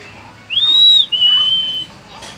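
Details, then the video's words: Hill myna kept as a talking bird gives two long, pure high whistles. The first rises quickly and holds steady; after a brief gap, the second holds level slightly lower. "কথা বলা ময়না পাখি"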